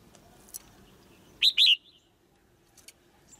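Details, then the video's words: A single high double chirp from a caged female white-eye, given to stimulate a male to sing louder, set against faint clicks and low background noise. "เสียงนกตัวเมียร้องเจี๊ยก ๆ ในกรง กระตุ้นให้นกตัวผู้ร้องแรงขึ้น"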